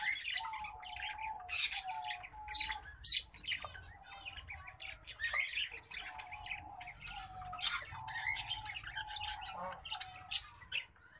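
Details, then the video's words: Green singing finch crossed with black-throated canary, a hybrid, singing a busy run of sharp high chirps and twittered trills, broken by short steady whistled tones lower down, all over a faint low hum. "Green Singing Finch x Black-throated Canary (mozambik x blacktroath)"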